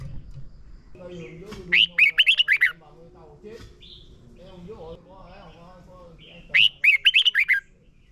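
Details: Red-whiskered bulbul singing, recorded for training caged birds: two quick bursts of six to seven bright warbled notes about five seconds apart, separated by softer mid-pitched chatter and a low steady hum.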